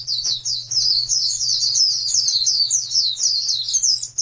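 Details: A training recording to get non-singing birds going carries an Oriental white-eye's dense, high warble. Notes run together in a fast rippling chatter with almost no gaps, over a low background hum.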